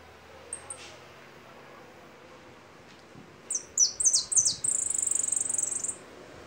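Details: Goldfinch: two faint high notes, a pause, then a cluster of bright descending chirps leading into a sustained, fast, even buzzy trill.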